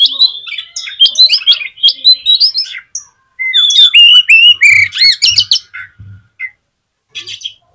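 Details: To rouse other magpie-robins, an Oriental magpie-robin delivers rapid whistled phrases and loud scratchy rattles, with faint low thumps beneath and a short quiet gap before a last burst.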